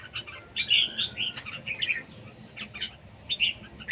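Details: Red-whiskered bulbul, competition singing in siêng ché style, somewhat distant: musical chirped phrases grouped in short runs, pausing between groups, set against a noisy low background.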